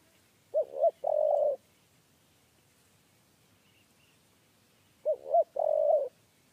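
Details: Spotted dove, 'kuk 3' three-note type, cooing as trappers lure it with a cage: two phrases about four and a half seconds apart, each two clipped hoots and a held buzzy tone, with light rustling underneath.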